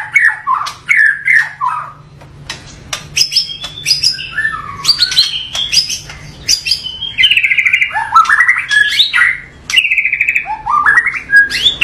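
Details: White-rumped shama (murai batu) singing a full 'tembakan' song with rough 'variasi kasar' variations, meant to provoke other shamas: rapid bursts of clear whistles, rising and falling slurs and sharp clicks, with long trilled phrases toward the end over a faint low hum.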